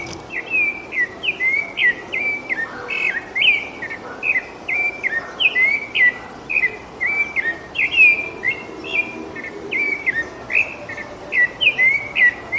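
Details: Rufous-bellied thrush in steady song: an unbroken series of short, fluty whistled notes, each sliding up and down, delivered in quick, varied phrases with brief gaps for the whole stretch, over a quiet background.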